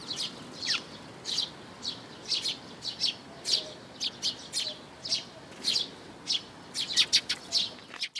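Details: Eurasian tree sparrow adults with chicks, 13 May 2018, uttering loud, clear chirps in a rapid irregular run, roughly two per second, some paired, in an otherwise quiet setting.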